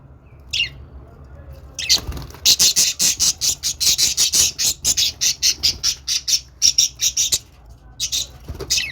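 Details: Budgerigar happy sounds: after a brief lone chirp, a dense run of harsh, scratchy chirps starts near two seconds, rapid and repeated steadily to the end, high-pitched with little background.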